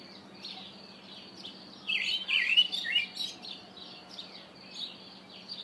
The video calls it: Karoo Thrush call